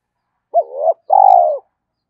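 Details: One close spotted dove phrase for urging decoy birds to coo: a brief hooked note, a swelling mid note, a short break, then a long level coo dropping off at the end.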